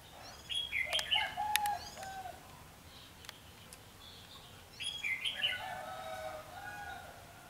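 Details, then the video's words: Red-whiskered bulbul recorded during trapping with a wing-clipped decoy bird, 14 March 2016; two short bursts of bright warbled, slurred notes, one early and one after about five seconds, with sharp clicks between and quiet background. "Bẫy chào mào chém cánh"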